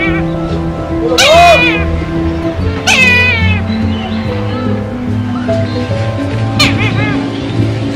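A Brahminy Kite gives three drawn-out, wavering mewing cries, each about half a second long and spaced a few seconds apart, over steady background music.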